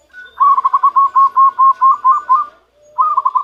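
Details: Wild-caught zebra dove, newly trapped, beginning to give its natural voice: a long run of about a dozen quick, rounded cooing notes at an even pitch, a short pause, then a fresh rapid burst.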